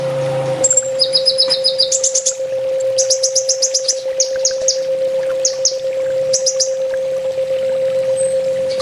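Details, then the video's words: Full tembak master song of a kolibri ninja sunbird: bursts of quick, piercing high trills and clipped notes repeated about four times a second, with gaps between runs and a steady low hum. "Suara masteran burung kolibri ninja full tembak"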